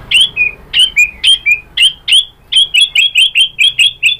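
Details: White-rumped shama song used as a lure to provoke other shamas into answering and singing: sharp downslurred chirped notes in pairs, then a quicker run of bright, evenly spaced high chips near the end.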